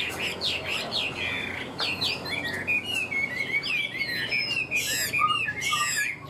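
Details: Tame Chinese hwamei kept for sale, noted for its fanned tail and good voice, singing a varied run of loud whistled phrases with rising and falling slurred notes, quick chirps, and bright, high, rapid trills toward the end.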